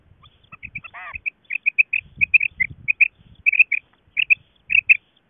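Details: Calls of a female quail, linked to quail hunting: bright short high notes in rapid doublets, a brief raspy note near the start, low rumbling underneath at times.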